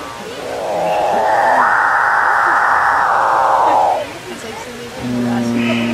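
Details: Capuchinbird giving a long moaning drone that rises gradually, holds for about two seconds and falls away. A lower harmonic tone follows after a short pause.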